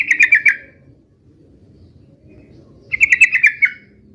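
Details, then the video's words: Yellow-vented bulbul, fighting-style 'uplik uplik' recording used to provoke replies: two short, rapid buzzy rattles of evenly spaced pulses at a steady high pitch, separated by nearly three seconds of quiet. "trucukan gacor UPLIK UPLIK TARUNG MENJADIKAN agar burung trucuk gacor NYAUT SEKETIKA"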